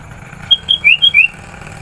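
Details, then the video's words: Sooty-headed bulbul in lively full song, used to lure wild bulbuls: a quick phrase of five clear whistled notes, alternating higher and lower with short upward slurs, over about three quarters of a second against faint low background rumble. "Suara Burung Kutilang Gacor, Memanggil Kutilang Liar"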